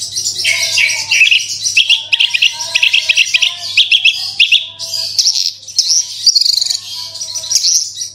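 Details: Branjangan (bushlark) song used as a lure to prompt singing: dense, fast run of high chirps, trills and twittering phrases, nearly continuous, over a faint low hum.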